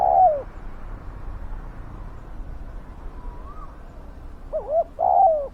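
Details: Spotted dove used to lure wild doves: one falling coo opens, a quiet gap with a faint distant whistle follows, then quick double hoots and another long sliding coo close the passage.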